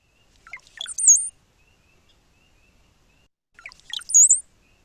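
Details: Brown-headed Cowbird song, a spring migrant in southern Quebec, given twice about three seconds apart: low gurgling bubbles rising into a thin, very high squeaky whistle; described as quiet and chattery.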